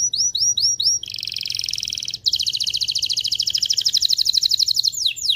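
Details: Canary song for readying males and females to mate: quick upswept notes, then long buzzing rolling trills at high pitch, very rapid and sustained.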